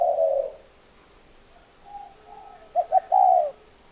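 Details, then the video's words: Spotted dove giving a long low coo, a pause with faint softer notes, then two quick clipped coos and a longer, louder mellow coo. "Tổng hợp tiếng chim cu gáy"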